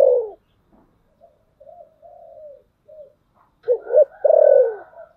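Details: Spotted dove decoy cooing in the 'thổ sấm' voice style to draw in wild doves: a loud coo, then soft, low, drawn-out notes, building to two sharp accented coos and a long, rich, falling closing note.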